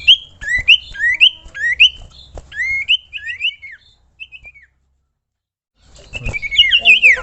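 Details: Common iora song used for training: a rapid series of upward-sweeping whistled notes repeated several times, fading, a brief pause, then a burst of fast jumbled whistles.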